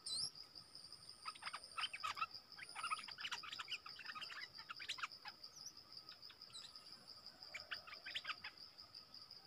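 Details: Wild streaked bulbuls answering a lure, a whole family arriving: scattered clusters of quick chattering chirps through the recording, with a continuous shrill insect buzz and a faint steady tone behind.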